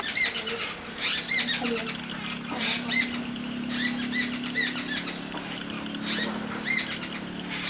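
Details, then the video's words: Jungle babbler calling: bursts of harsh, squeaky, harmonic-rich notes repeated in quick clusters throughout, with a steady low hum in the background. "The call I Jungle Babler"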